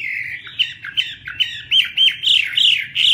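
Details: Brief burst of song from a Chinese hwamei: loud clear whistled notes repeated about three times a second, some upturned, some sliding.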